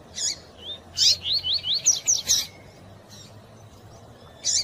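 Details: Double-collared seedeater (Sporophila caerulescens): a quick run of high, sharp whistled notes slurring up and down with thin female chirps, played to stimulate the male, over a low background hum.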